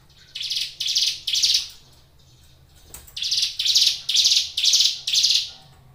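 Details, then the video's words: Hill prinia (ciblek gunung) kept in a cage, giving two bursts of rasping, buzzy high notes, three and then five, spaced about half a second apart, with a short pause between. "suara ciblek gunung gacor"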